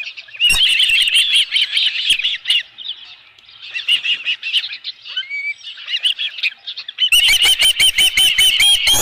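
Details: At a ranch nest webcam in July, ospreys around a live fish give dense squealing chirps in long bursts, briefly easing, then a loud run of rapid sharp whistled notes with knocking sounds at the end.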